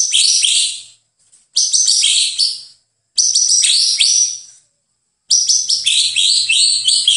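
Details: White-rumped shama song used as a master recording for training songbirds: high, rich phrases of rapid chirps and slurred whistles in four bursts of about one to two seconds, separated by short silences.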